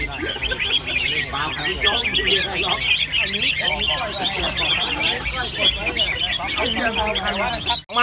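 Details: Red-whiskered bulbuls singing against each other at a Thai songbird contest in Chonburi: a continuous tangle of bubbly, fast chirps from many caged birds, with murmured human voices underneath.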